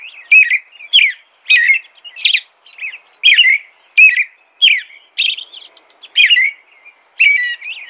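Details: Rapid run of whistled American robin phrases, roughly ten rich slurred notes in eight seconds, rising and falling, with faint high squeaky overtones.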